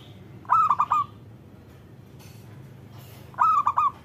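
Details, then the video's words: Local zebra dove call used to stimulate other doves to sing; two rolling four-note coos about three seconds apart, with faint hiss and a brief soft noise between them. "Panggilan Perkutut Agar Bunyi"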